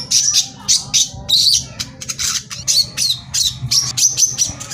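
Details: Brown-throated sunbird (korlap) in a rapid-fire 'tembakan rapat' lure song meant to agitate other sunbirds into singing: short, very high, harsh chirping bursts about every half second, some with thin whistled notes, over a low steady hum.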